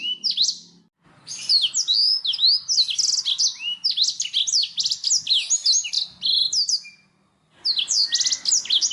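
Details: Black-throated canary song meant to train pet songbirds, especially canaries: bursts of rapid, high twittering and sweeping whistled notes with fast trills, broken by two short silences, the last burst starting near the end.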